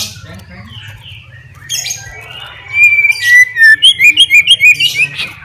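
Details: White-rumped shama, a fighter bird singing to provoke rivals, starts quietly with soft faint notes, then breaks into a loud run of bright whistled chirps repeated rapidly about three per second, with low background hum.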